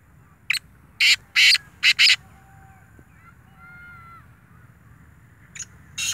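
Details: Black francolin calling: a harsh, grating phrase of four or five loud rasping notes in quick succession, followed by a quiet gap and two further rasping notes, over faint background hiss.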